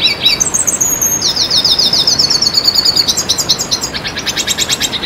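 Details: Red siskin singing in a tutoring and lure recording for songbird keepers: a continuous high, rapid twitter of sliding chirps, then a long rattling trill of fast repeated notes near the end.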